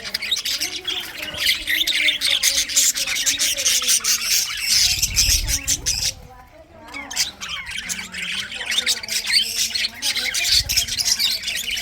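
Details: Several budgerigars chattering in winter, busy high twittering and squawks broken by a short near-silent gap midway, with lower warbling notes running beneath the chatter.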